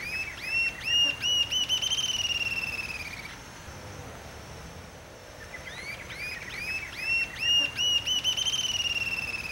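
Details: A Rufous-tailed Jacamar (Galbula ruficauda) in Brazil gives high, thin whistled notes speeding into a long trilled run. It does this twice, with a quiet pause between, over a faint background hiss.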